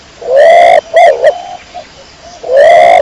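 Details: Domestic pigeon, kecor type, cooing: a long swelling coo followed by two brief notes, a low soft murmur, then the next long coo starting, all clear and close.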